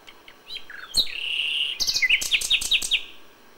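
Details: Common nightingale in May, filmed at dawn, original audio: a long pure whistle held steady, then a rhythmic sequence of sharp, accented notes at about five per second.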